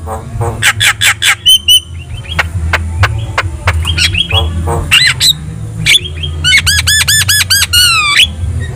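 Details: Javan myna singing to make other birds answer. Dry clicks and brief whistles lead into a quick series of about eight looping, bubbling whistled notes, with a low hum in the background.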